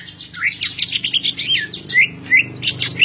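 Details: Cucak ijo, the greater green leafbird, singing hard in 'gacor' style: a dense, rapid jumble of twittering chirps and short whistled slurs, busy and varied, with a quiet low hum underneath.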